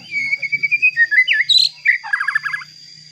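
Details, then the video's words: White-rumped shama song to provoke other shamas: a string of clear whistled notes, swooping phrases, then a rapid descending trill, with a constant high tone behind. "Pancingan Murai Batu Agar Bunyi Ampuh Bikin Emosi Murai Batu Lain"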